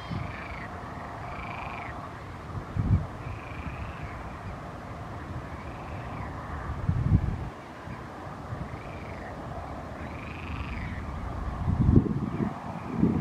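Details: Canada geese with goslings in the Dwingelderveld, giving faint, arched, nasal calls repeated roughly every one and a half seconds, partly masked by steady low rumbling wind noise with occasional louder gusts.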